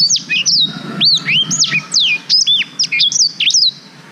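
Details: Blackthroat (black-throated canary) song used to tutor young canaries, captured with a GoPro Hero 5: a continuous stream of bright, high whistled slurs and chips, rising and falling notes delivered in quick succession.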